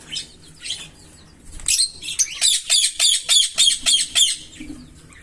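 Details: Green Fischer's lovebird pair singing and chirping: soft, scattered high chirps, then a rapid run of about nine harsh, evenly spaced chirps, roughly four per second, before fading back to quiet twitters.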